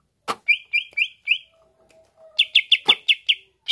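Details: Greater green leafbird song used to provoke rivals into singing: a short series of four burry notes, a pause with a faint thin tone, then rapid repeated chips and a click.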